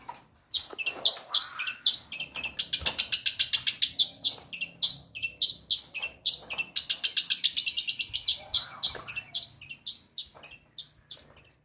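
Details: Long-tailed shrike, its song laced with mimicked calls such as fighting sparrows, delivering a long, rapid, nearly unbroken series of sharp chirps and chattering notes, roughly three to four per second, with faint room noise.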